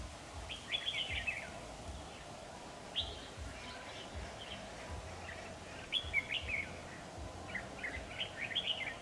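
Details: Red-whiskered bulbul, possibly a decoy bird used for trapping, singing short, bright, warbled phrases every two to three seconds over a steady low background hum.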